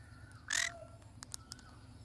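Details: Pineapple conure parrot letting out one loud, coarse squawk followed by a few soft clicking ticks, over a low steady hum.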